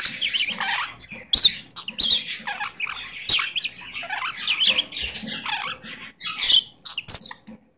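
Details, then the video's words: A pet Goldie's lorikeet chatters in high, squeaky, speech-like phrases, saying "give me a kiss", with sharp squawks and chirps between the bursts. "Talking Goldies Lorikeet"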